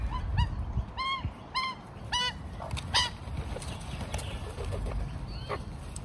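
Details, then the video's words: A large group of magpies from at least three families, being hand-fed by a man, give a run of harsh, honking, arched calls about every half second, then fade into softer chatter under steady background noise. "Magpie Army Serenades Old Man"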